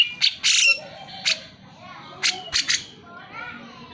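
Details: Grey-cheeked Bulbul in lively, chattering form, used to prompt lazy birds of its kind to sing: a few harsh, noisy bursts spaced about a second apart, with a soft low wavering note between them.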